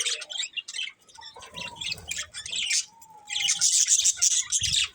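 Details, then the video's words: Chattering from a breeding pair of budgerigars: busy high twitters with a couple of thin, level whistled notes in the middle, then a loud burst of rapid warbling. "Cute Budgies Chirping Sounds"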